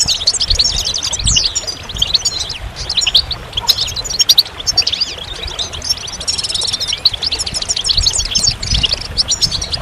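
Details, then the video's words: Clear goldfinch song: a long run of sharp, high chirps, liquid trills and a thin buzzy rattle, rapid and varied, with only faint low background noise. "Magical Goldfinch Songs"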